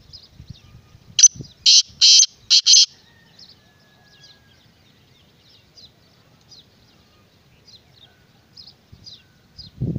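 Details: Kala teetar, the black francolin, gives a short burst of four harsh, grating notes early on, followed by quiet, regularly repeated thin chirps of small birds and a low thump at the end.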